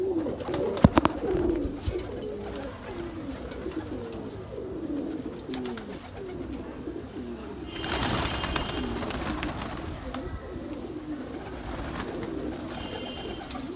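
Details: Pet house pigeons kept as a hobby, recorded 4 March 2024; many overlapping low rolling coos run throughout, with a brief noisy burst near the middle and faint room noise.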